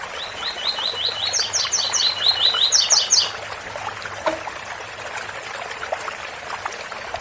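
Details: Waterfall backdrop to a coleiro's tui tui bitola song: a long chain of rapid rising notes with repeated bursts of higher doubled chips, ending after about three seconds, leaving steady water hiss.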